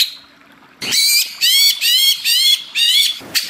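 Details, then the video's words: Greater green leafbird in tropical forest ambience, giving a series of harsh, rasping, squawk-like notes, each about a third of a second long, repeated roughly twice per second with brief gaps. "Suara Hutan Tropis Istimewa: Anti gagal pasti nyaut ngotot cucak ijo gacor"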